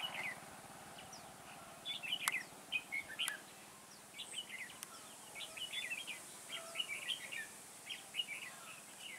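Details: Red-whiskered bulbul used as a decoy for trapping, recorded 9 October 2017 in a garden: short bright chirpy warbled phrases repeated every second or so, with sharp clicks and a quiet rural background.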